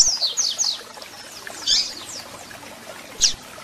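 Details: Double-collared seedeater song with chirps, used to fire up and warm up a captive bird: a few quick, high descending whistled notes, then a brief pause and two isolated sharp chirps over a faint hiss.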